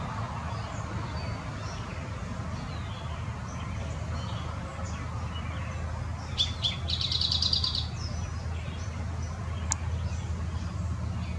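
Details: Eastern towhee singing in Southeast Wisconsin, one song midway: brief sharp notes then a quick high trill under a second long, against continuous low rumbling noise and faint other chirps.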